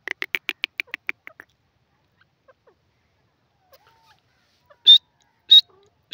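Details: Grey francolin giving a quick burst of about ten clipped, rasping notes that fade out, followed by silence and then three loud, piercing, higher notes.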